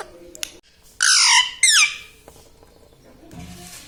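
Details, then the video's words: Pet parrot, said to talk words such as mithu, mummy, papa and radhe radhe, gives two loud harsh squawking bursts near the middle, with quiet room noise around them. "Parrot talking mithu mithu || mai bolunga || मम्मी पापा बोलता तोता"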